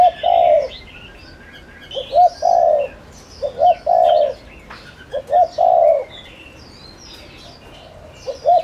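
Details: Cooing of a spotted dove kept as a decoy for wild doves: four quick phrases, each a pair of short coos ending in a long, steady coo, with thin twittering of other birds high above.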